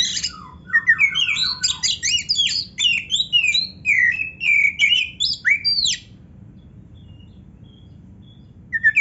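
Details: Rich gacor song of an Oriental magpie-robin (kacer), packed with isian: ascending trilled notes, looping whistles and rapid varied phrases pouring out for about six seconds before falling quiet, with a soft low background hum.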